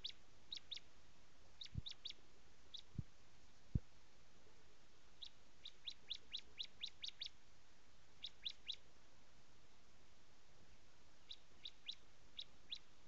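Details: Bar-winged prinia (Prinia familiaris) song: short bursts of three to six sharp, high, clipped notes with pauses between bursts; a few low thumps of handling noise.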